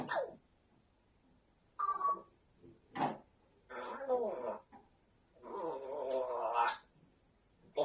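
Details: African grey parrot indoors, talking and swearing in a run of speech-like bursts separated by short silences, with one clipped squawk at the very end.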